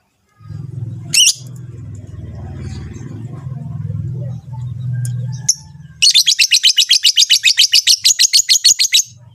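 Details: Rosy-faced and Fischer's lovebirds giving a mating call to push the female to breed. A steady low mechanical hum dominates the first six seconds, with one sharp chirp. Rapid, regular, high chattering then takes over.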